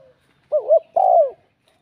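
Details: Spotted dove with a bell-like voice cooing to provoke rival males: a single phrase of a wavering double note followed by a loud, drawn-out, falling coo.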